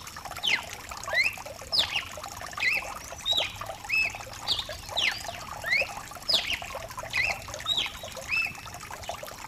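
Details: Lively cardinal song, mutation bird, heard with rain: repeated clear whistled notes and quick slurs in bursts about every second, over continuous pouring rain.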